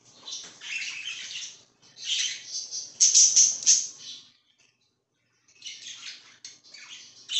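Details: Budgie, a parakeet, chattering in dense, buzzy, high chirps and warbles, loudest in the middle, then a silent gap before the scratchy chirping resumes.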